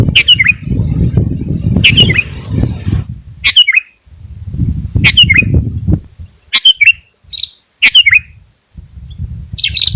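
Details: Sooty-headed bulbul song meant to provoke rival birds and attract wild ones: short, sharp notes dropping in pitch, spaced one to two seconds apart, with bursts of low rumbling noise between them.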